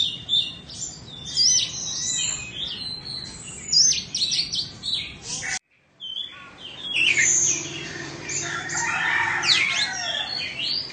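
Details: Oriental magpie-robin, Indonesian stock, kept in a cage, two seasons old and flawless. Varied whistled and rasping phrases are broken by a brief silent cut midway, then resume with buzzy, crackling bursts. Low hum beneath.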